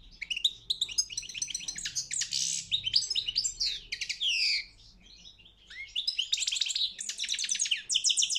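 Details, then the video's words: Competition song of a European goldfinch, a fast, continuous run of tinkling twitters, buzzy trills and sweeping notes, a brief quieter gap midway before the lively chattering resumes. "Pesma štiglića 009/23 World Championship in Goldfinch Song"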